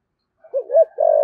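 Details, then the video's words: Decoy spotted dove, 'giọng thổ' singer: a soft, low coo that opens with a wavering note and swells into a sustained, even tone cut off at the end. "Chim Cu Mồi/ cu gáy giọng thổ thúc gù"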